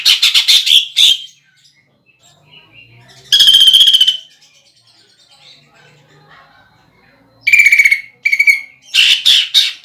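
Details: Competition greater green leafbird delivering coarse 'nembak' shots with a woodpecker-style fill. Loud, harsh, buzzy rattles come in bursts of about a second, separated by quiet gaps with soft twitters. A low hum is briefly audible.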